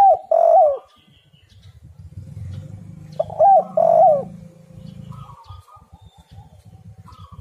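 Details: Spotted dove song used to lure other doves. Two loud paired coos open the recording and come again about three seconds later. A rumbling, wind-like noise and faint buzzy notes fill the gaps.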